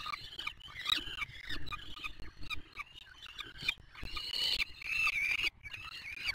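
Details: Peregrine falcons at a nest on the Museo de América in Madrid, seen on a live camera with a chick and feeding, give harsh, raspy screeches almost without pause, a few thin whistled notes, over a low wind or city rumble.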